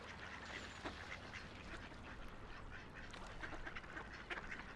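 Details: Along a quiet river, ducks let out scattered raspy quacks, some louder than others, over a soft continuous wash of water.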